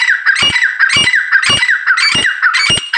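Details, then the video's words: Harsh, ringing grey francolin calls repeated steadily about twice a second for three seconds, loud and close, each phrase punctuated by a sharp click. "my best grey francolin and nice voice"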